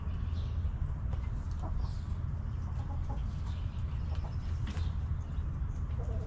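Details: Backyard hens relaxing in their coop give a few soft, short clucks, scattered and quiet over a steady low rumbling hum that fills the background.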